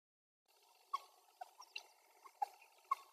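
A common moorhen gives five short, sharp clucking notes at irregular intervals of about half a second, against a faint, steady background hiss.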